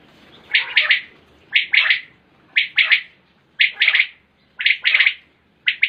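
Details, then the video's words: Batair or common quail calling, recorded 2020: clean, evenly spaced triple-note phrases, each bright and clipped, repeating roughly every second against a faint background. "Common Quail Calling 2020"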